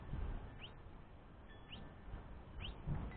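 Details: Young House Finch calling to its father for food, the mother off resting: three thin, upward-sliding chirps spread over three seconds against a low background hum.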